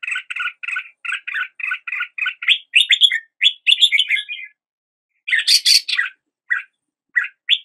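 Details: Red-whiskered bulbul song opening with a steady string of quick paired chirps, moving into fluty warbled phrases, a pause, then a harsh burst and a few final short notes.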